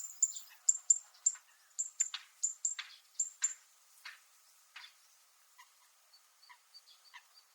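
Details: Zitting cisticola on Miyako Island, Japan, giving its metallic call: sharp, very high ticks, several per second at first, then sparser and fainter clicks toward the end.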